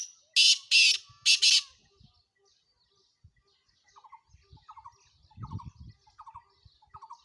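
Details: Black francolin in Sindh, Pakistan: three loud, harsh, grating notes in quick succession over about a second, followed by quieter rhythmic chattering triplets from another bird and faint low rustling.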